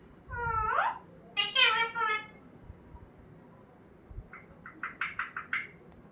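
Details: Pet talking parrot indoors: a falling speech-like word and a longer harmonic phrase, followed by a run of short, evenly repeated chattering notes.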